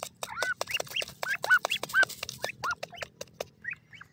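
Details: Grey francolin chicks feeding in a forest, with a dense series of short rising-falling squeaky notes, about two per second and fairly irregular, fading to a few softer notes at the end.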